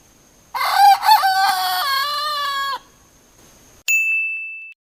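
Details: A rooster gives one full crow of about two seconds, loud and harsh, with a rising start and a long held ending, followed by a bright electronic ding.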